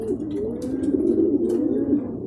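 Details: Racing pigeons back at the loft in Guiguinto, Bulacan, after their second truck training release, arriving somewhat in groups; several birds give low, rolling coos that overlap into a steady murmuring chorus, with brief rustling clicks.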